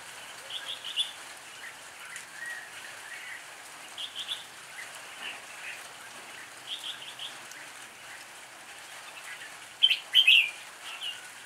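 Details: Red-whiskered bulbul delivering an improvised song: short warbled phrases spaced a few seconds apart, ending in a louder, sharper cluster of bright notes, with faint pattering noise beneath.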